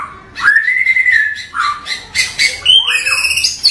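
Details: Bahorok white-rumped shama, an Indonesian native local type, singing a long clear whistled note held steady, then shorter slurred whistles and a rising-falling whistle, with faint buzzy notes between.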